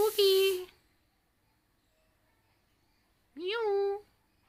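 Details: Talking parrot repeats a short spoken word twice, several seconds apart, each utterance voiced and harmonic with a rising onset, in a quiet room.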